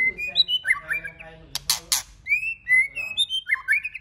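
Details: White-rumped shama singing many varied notes to stimulate other shamas to sing: warbled whistles, a harsh double burst, then long bright whistled notes and a quick twittering finish.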